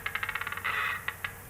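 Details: Male western capercaillie displaying at dawn on a lek site with a small mound, in a pine forest: a run of dry clicks quickening in pace, then a brief harsh grinding like sharpening, followed by two more clicks.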